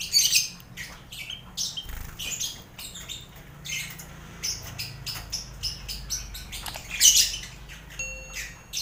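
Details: Noisy colony enclosure of lovebirds alongside finches and quail for competition mental training: dense overlapping shrill squawks and clicks, with a loud harsh burst near the end and a faint thin whistle after it.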